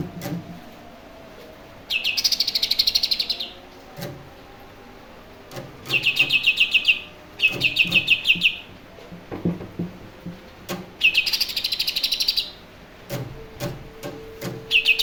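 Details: Pet greater green leafbird, a young Berau bird kept since fledgling and tutored by phone, practising its song. Several separate high trills, each one to one and a half seconds of rapid pulses, repeat with pauses and scattered clicking noises between.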